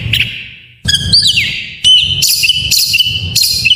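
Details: Oriental magpie-robin in full varied song, used as a lure to prompt lazy kept magpie-robins to sing: loud clear whistles, a long falling slur, then bright repeated chirping notes with sharp attacks and a faint low background hum.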